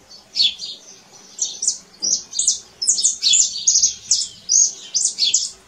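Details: In nature, a canary sings a string of short, sharp high twittering phrases, roughly two per second, some rising and some dropping, with slight pauses between.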